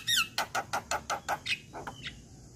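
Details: A male Javan myna, used as a lure call for moulting or reluctant-to-sing mynas, gives a descending whistle, then a rapid run of about seven harsh, chattering notes, a few softer notes trailing off.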